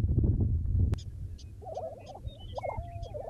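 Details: Lesser prairie chickens near Buffalo, Oklahoma, 2009, early morning: after a second of low rumbling, a quick series of choppy, cackling mid-pitched notes with one drawn-out tone, faint high chips of other birds behind.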